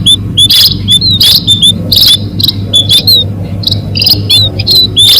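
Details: Lure calls of munias for trapping birds: many high, thin, upslurred and downslurred chirps repeated in quick bursts by overlapping callers, with a constant low droning hum underneath.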